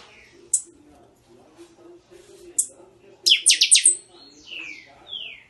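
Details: Buffy-fronted seedeater giving a crackling Catatau song of the Chanchão style: two isolated sharp high notes, then a dense burst of rapid buzzy stutters and two falling whistled slurs, with a low murmur beneath.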